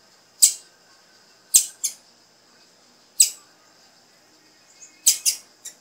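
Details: Female blue-black grassquit calling to encourage a male to sing: loud, high, clipped chips, some single and some in pairs, spaced one to two seconds apart, ending in a quick triple.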